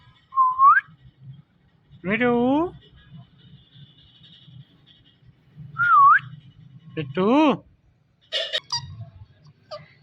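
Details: Indian ringneck parrot talking, natural sounds: a short rising whistle, then a loud harmonic speech-like phrase that bends down and up, another looping whistle, a second warbling word-like phrase, and brief sharp chirps near the end, over a low background hum.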